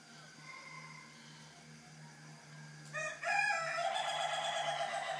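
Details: Chicken crowing at 3:50 in the morning. After a low steady hum and faint earlier calling, a loud raspy crow bursts in at three seconds and carries on strongly to the end.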